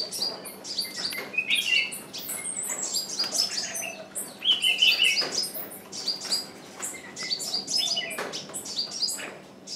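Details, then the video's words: Decoy bird calling persistently to lure wild birds, which do not come in; busy stream of high, thin chirps and a few louder buzzy trills, rising and falling in intensity. "Chim mồi kêu mãi mà bổi vẫn không vào"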